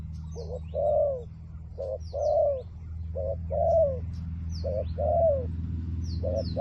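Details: Decoy spotted dove luring wild doves repeats a short coo followed by a longer wavering coo at an even pace, with thin high chirps of small birds and a steady low hum behind.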